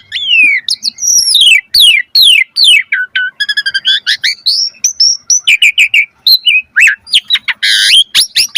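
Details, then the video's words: Vigorous Asian pied starling song used as training audio for other birds: rapid, varied phrases of falling whistles, sharp chirps and rattling buzzy notes in a dense, nearly continuous stream. "Suara Jalak Suren Gacor Full Isian Variasi Pancingan Masteran Burung Jalak Agar Gacor Isian Mewah"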